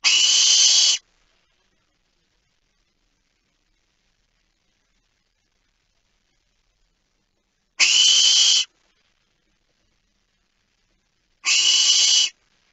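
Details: A barn owl (Tyto alba) at night, 27 October 2019 at about 02:59 winter time, gives three harsh, hissing screeches, each about a second long, with long silent gaps.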